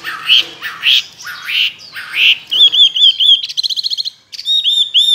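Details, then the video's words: Chinese hwamei, a tame cage bird of two years noted for competition singing, gives rich upslurred phrases, then a fast wavering whistled trill and a rapid run of clipped repeated notes. "Họa mi thuần nhiều giọng rừng,chim đấu hót tốt"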